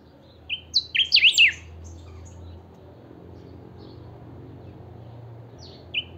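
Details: Captive saffron finch, a 'pica' chiviro singing strongly: a fast cluster of high whistled slurs, then a soft hum, and two more short high notes near the end.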